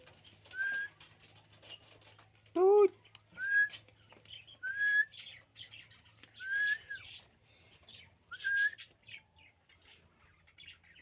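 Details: Pet rose-ringed parakeet talking: a clear rising whistled note repeated roughly every second or two, with one lower, harsh harmonic squawk midway, over a faint low hum.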